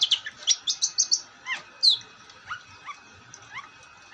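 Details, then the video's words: Long-tailed shrike in full song: a rapid series of bright, high chattering notes, then one sharp downslurred whistle and several softer rising chirps spaced apart. "Burung cendet gacor"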